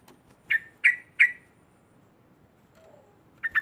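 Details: Harsh, rasping chatter from a yellow-vented bulbul meant to rile rival birds: three loud notes in a row, a quiet stretch with a faint low whistle, then two more notes at the end.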